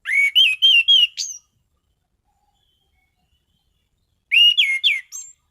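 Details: Orange-headed thrush singing steadily and loudly: a quick series of five whistled notes ending on a high upslurred squeal, a three-second silence, then a similar run of rapid wavering whistles.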